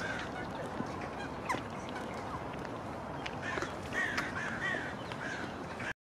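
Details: Jackdaws from a growing nesting colony around a sculpture in Kensington Gardens, a park where they returned after decades away. Short, harsh, mid-pitched chak notes come singly and in pairs over loud broadband noise, with occasional sharp knocks.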